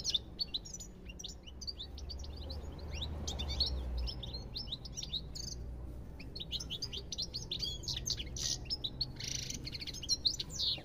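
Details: European goldfinch singing a fast, continuous twitter of high, thin chirps and short trills, with brief buzzy notes in the second half and a low hum underneath.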